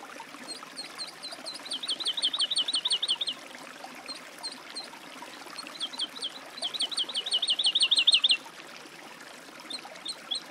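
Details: Woodlark singing two phrases: each begins with a few separate whistles and then rolls into a fast, trilling cascade of liquid, wavering notes, with a pause between.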